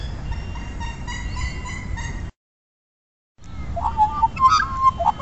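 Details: Australian magpies singing together in Centennial Park, Australia, over breakfast: warbled, flute-like notes with steady harmonics in the first half, then after a short gap a burst of rich, tumbling, varied phrases; low background rumble throughout.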